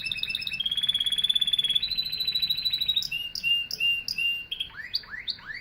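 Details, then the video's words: Loud canary song: a fast rattling trill shifting pitch midway, then clipped high chirps and a series of quick rising whistled sweeps. "Singing Canary"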